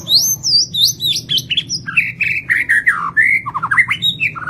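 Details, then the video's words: White-rumped shama of the Lampung type singing vigorously with a full fill-in repertoire: rich, varied whistled phrases, rising and falling slurs and quick downward notes flowing without pause, some faint low hum beneath. "SUARA BURUNG MURAI BATU LAMPUNG ISIAN KOMPLIT GACOR"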